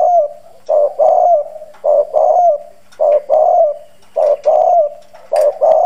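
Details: Decoy spotted dove, harsh bronze voice, pushing out coos to provoke wild doves; fast, regular low phrases, a brief note then a longer hoarse coo, about five phrases repeated every second or so.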